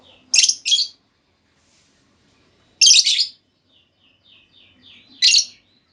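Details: Female lovebird, kept as a cage bird, calling to lure another lovebird into long trilling replies: loud harsh shrieking bursts, some doubled, about every two to three seconds, with faint soft chattering between them.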